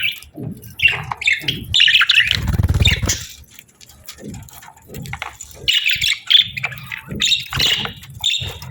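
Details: Budgerigar pair during the breeding season; scattered short chirps and warbled phrases with gaps, plus a low rumbling noise early on and soft knocks.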